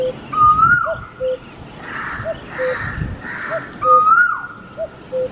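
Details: Repeated low, mellow two-note cuckoo calls, a brief higher note followed by a slightly lower one, while a loud, rising and then falling whistled call from another bird sounds twice over a light background hiss.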